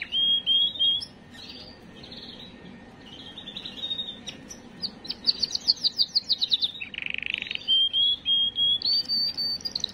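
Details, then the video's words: Canary singing to excite females before breeding: sequence of clear whistled notes, short repeated chips, a fast rattling trill near seven seconds, then steady repeated whistles, all high-pitched and continuous. "اقوى تغريد كناري للتسميع وتجهيز وتهييج الاناث"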